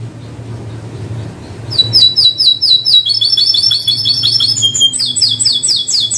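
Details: Canary singing: after a quiet opening with low hum, a bright high song begins of rapid repeated slurred notes and trills, shifting between phrases.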